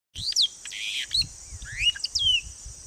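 Rainbow bee-eater giving a quick run of high chirps and downward-sliding notes, with one short buzzy burst, over a steady high hiss.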